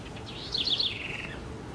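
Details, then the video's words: Brazilian house wren giving a single energetic warbled phrase, fast high bubbling notes that rise, then cascade down into a quick fading trill, little other sound apart from soft background noise. "O canto da pequena Curruíra"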